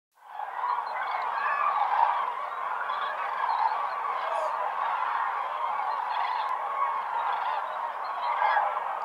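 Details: Huge flock of common cranes at Lake Hornborga, Sweden, in early morning just before sunrise: a dense, continuous wall of loud trumpeting and bugling calls, with no other sounds standing out.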